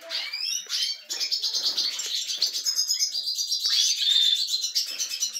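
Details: Several captive European goldfinches in a canary breeding setup growing lively, giving dense high twittering and tinkling song with quick chirps and short trills, almost continuous throughout.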